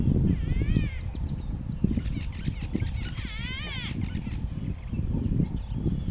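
Greater blue-eared starling giving short bursts of wavering, chattering, slightly nasal notes. A heavy low rumble of wind or handling noise runs underneath.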